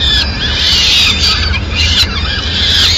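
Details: Peregrine falcons in Madrid, 29 April 2016, the mother with food for the chicks: short stretch of loud shrill wailing, notes bending up and down, closely packed, above a low steady hum.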